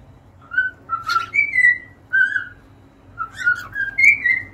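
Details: Cockatiels singing short whistled phrases with buzzy chirps between them, notes rising then falling, over a low steady hum.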